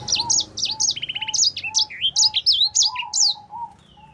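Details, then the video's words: Sanger (black-throated canary) singing hard for use as a tutor song: a burst of sharp high notes, a short buzzy rattle, then swooping chirps, over a repeated faint lower whistle. "Sanger Gacor Fighter cocok untuk masteran."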